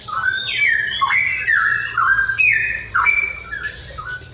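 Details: A straw-headed bulbul (Pycnonotus zeylanicus) sings in the morning, a loud, rich, bubbling warble with mellow whistled notes sliding up and down in rapid, nearly unbroken phrases.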